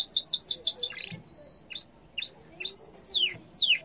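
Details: Song of a yellow canary: quick descending sweeps, a steady held whistle, then several upslurred whistles and long downward-sliding notes.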